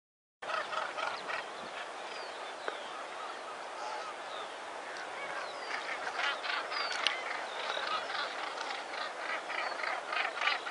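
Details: Northern Gannets calling in a dense breeding colony at Bempton Cliffs: harsh, rasping, overlapping croaks from many birds, with no gaps between calls.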